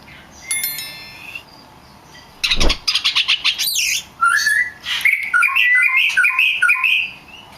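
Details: Oriental magpie-robin (kacer) lure song to provoke rivals into singing: a burst of rapid clicking notes, a squeaky upswept note, then a lively string of whistled warbled phrases.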